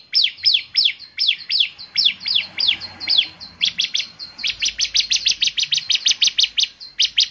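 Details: Bar-winged prinia, a vocal singer said to set others off, giving slurred high downward sweeps that switch to a faster, even run of sharp buzzy notes.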